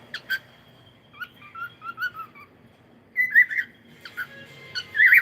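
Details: Cockatiel singing in the morning: warbled whistled phrases with wavering, sliding notes and brief pauses, the later passages louder and higher.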